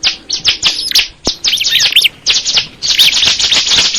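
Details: Crystal ciblek bird pouring out a busy run of high, scratchy chirps and rising and falling twitters, almost continuous with only short breaks.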